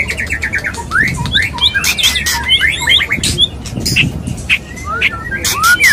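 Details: Male white-rumped shama courting a female during mating, a rapid tumble of short downslurred and upslurred whistles interleaved with frequent harsh rasps and clicks, fairly continuous throughout.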